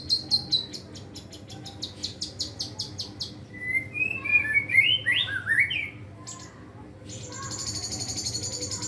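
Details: Caged white-rumped shama practising full song with mimicked fill-in material: rapid high ticking notes, then a run of warbled whistles near the middle, ending in a dense, scratchy high chatter.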